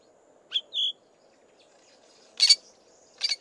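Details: Male Fork-tailed drongo alternating soft mimicry of other birds with harsh song: two brief, clear, high whistled notes, the second a short level whistle, followed by two loud, rasping, scratchy bursts about a second apart.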